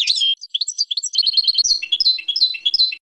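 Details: European goldfinch singing a training song for young birds, a dense tinkling twitter of rapid overlapping high notes with a few buzzy slurs, continuous for three seconds.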